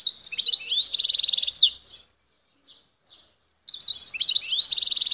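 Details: Algerian wild goldfinch from Bouteldja, El Tarf: sweet chirps lead into a long buzzy trill, a short pause with two soft notes, then the twittering phrase resumes.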